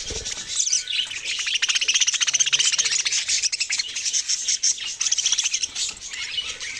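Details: Loud, fast budgerigar chatter fills the recording with rapid repeated chirps and buzzy warbles from several birds at once.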